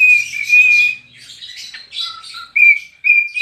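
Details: Dancing pet cockatiel sings: a sustained clear whistle that gives way to rough, scratchy chatter, then a brief lower note and two renewed steady whistles near the end.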